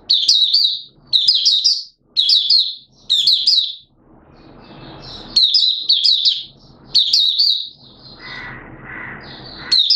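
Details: Repeated short bursts of high, sweet twittering from a caged Malaysian oriental white-eye in minor moult, with a rustly pause midway; recorded on 2 April 2023.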